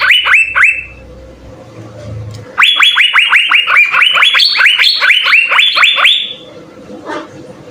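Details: Asian fairy-bluebird song for training other birds: a short burst of quick slurred whistles, a pause with a low hum, then a long rapid series of rising-and-dropping notes before it fades to quiet.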